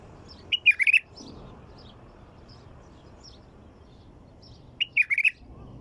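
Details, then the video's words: Two matching phrases from a white-eared bulbul, about four seconds apart, each a quick run of four or five rolling warbled notes, with faint chirps and low hum between. "تغريد بلبل طور"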